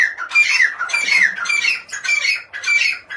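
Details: Grey francolin giving loud, harsh, squeaky phrases, repeated roughly every half second with brief dips between bursts.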